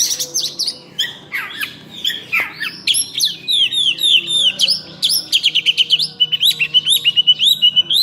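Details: Oriental magpie-robin, called cincim pala locally, singing hard in full-isian style: jumbled high warbles and squeaks at first, then a fast steady series of sharp repeated notes, several per second.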